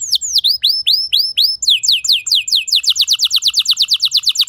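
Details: Canary song played to coax other canaries into singing: slow, looping rising-then-falling whistles, then a quicker run of steeply slurred notes, speeding into an even trill.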